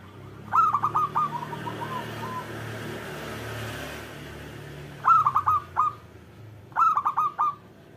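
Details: Local zebra dove singing, a recording meant to coax lazy doves into song: three short bursts of rapid, staccato cooing notes separated by pauses, with a soft low background murmur.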